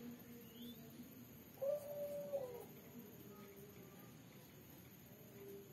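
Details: Female spotted dove, red colour form with black collar, calling at night in a three-note 'kuk' style: a single soft, hollow, drawn-out coo of under a second over quiet background hiss.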